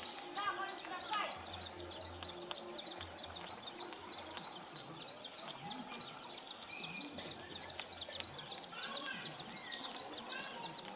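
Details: Displaying male São Tomé prinia recorded at Nova Moca, São Tomé, on 19 January 2019, delivering a long unbroken series of high, rapid, chattering note groups; a few lower bird notes sound near the start over a low background hum.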